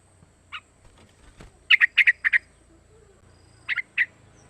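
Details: Young yellow-vented bulbul aged three months, calling as a lure for other bulbuls to copy: sparse, sharp chattering notes in two short groups over a low background rumble.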